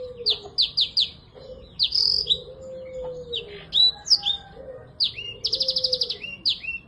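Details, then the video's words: Energetic black-throated canary song meant to get silent birds singing again: quick runs of high downslurred notes, a few clipped chirps, then a fast rattling trill around five seconds, followed by more sweet whistles. "BLACKTHROAT GACOR UNTUK TERAPI MACET BUNYI"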